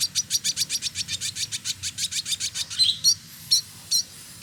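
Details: Village indigobird male, trotol, recorded in Bandung, West Java, Indonesia, in full song: about twenty buzzy rasping notes repeated roughly five per second, ending in a few thin whistled slurs.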